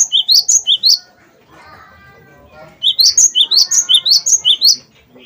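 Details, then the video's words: Cinereous tit, wingko type, repeating sharp high two-note whistles in fast bursts, roughly three phrases per second, with a short lull of faint murmuring background between the two runs. "gelatik batu wingko gacor"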